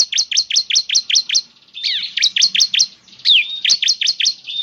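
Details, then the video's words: Bar-winged prinia song played as a lure for a caged bird. Quick repeated dropping chirps broken twice by brief twisting, slurred notes, then more chirps in a lively rhythm. "Pancingan Ciblek Semi Gacor Agar Bunyi..!"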